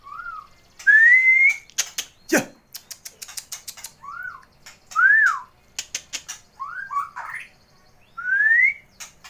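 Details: Caged Tulang Mas white-rumped shama, a prize-winning contest bird that brings out imitated phrases and song variations on seeing a rival: clear whistled rising and arched phrases repeated every second or two, amid sharp clicks, knocks and brief human talk.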